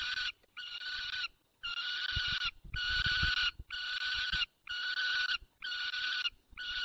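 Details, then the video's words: Adult white stork calling to its adopted young at the nest, giving harsh, wheezy hissing bursts about once a second with faint low rumbling; nest holds one own chick and three adopted, Barycz Valley, Poland, 9 June 2020, 10:54. "Borek woła adoptowanego młodego"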